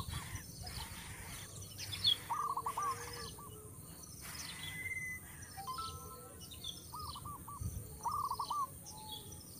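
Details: Coucal chicks in a nest as a parent brings a large meal; short bursts of quavering, wavering notes in quick runs, separated by pauses, with a thin steady whistle and faint chirps from other birds.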